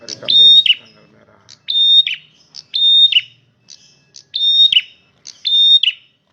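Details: Loud male red prinia repeating one phrase about every second: a steady high whistle ending in a buzzy downward flourish, with faint low murmurs between.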